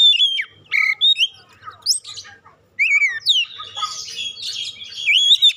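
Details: Oriental magpie-robin song played as a lure to prompt other birds to sing: loud, clear whistled notes around high pitch, some sliding up or down, in short bursts with brief pauses and a softer scratchy passage mid-phrase.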